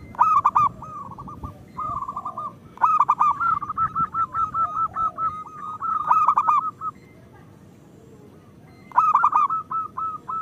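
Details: Local zebra dove in full, constant song, used as a lure and practice recording for caged doves that sing little: repeated phrases of clipped staccato coos run into a long, steady purring trill, then a break and a fresh stuttered phrase.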